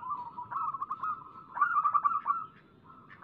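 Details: Lure recording of a local zebra dove singing vigorously: steady, mid-pitched cooing broken into rapid stuttering pulses, growing louder midway, then fading into softer notes.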